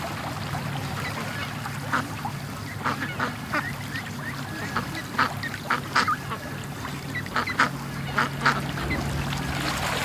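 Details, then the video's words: Morning rush of domestic ducks from the pen to the creek; a flock gives a string of sharp, evenly spaced quacks that grow more frequent toward the end, over a steady low hum. "Ducks At The Creek Morning Rush"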